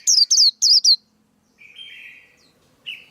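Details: Male white-eye, a recording for coaching young birds and luring them into traps, gives four quick high chirps that fall in pitch, followed by a softer, lower drawn-out buzzy note.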